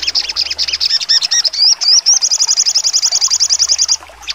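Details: Sogon songbird, full sharp trotol singing: chattering high notes, a few rising whistled slurs, then a steady, rapid trill held for almost two seconds before it stops.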